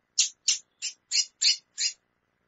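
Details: Female chestnut-bellied seed finch calling intensely, six rasping high chips delivered about three per second.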